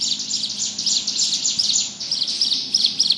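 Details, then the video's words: Ngebrem song of a bar-winged prinia (ciblek gunung): continuous high, buzzy chatter of quick rasping notes, growing slightly louder and more emphatic toward the end. "Burung ciblek gunung gacor ngebrem"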